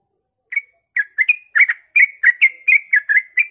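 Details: At dawn a sooty-headed bulbul delivers ropel-style song to set other bulbuls singing: a single opening chirp, then a quick run of bright, slurred notes, each rolling up and down, packed closely together.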